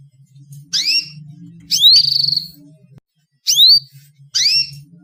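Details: Female canary calling, used as a lure to get males singing: four short, bright rising whistled chirps in pairs about a second apart, each sweeping upward, with a faint low steady hum underneath.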